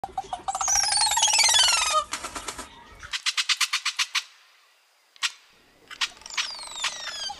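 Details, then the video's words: An oropendola gives liquid, gurgling notes that slide steeply downward, then a fast run of dry clacking pulses and more falling, bubbly whistles. "The unique voice of Oropendola"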